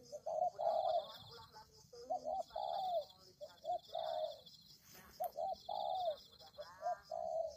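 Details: Spotted dove cooing for bird luring: repeated phrases of two or three short coos ending in a longer downward-curving note, about one phrase every second and a half, with a persistent high drone.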